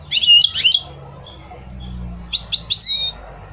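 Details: A goldfinch gives two short twittering phrases of bright, tinkling chirps about two seconds apart, with a few soft thin notes between them and a low background hum.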